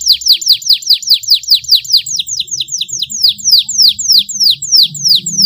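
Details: Canary master song with rich phrasing: loud, clear downward-sweeping whistled notes repeated about four times a second in a steady series, over a faint low hum.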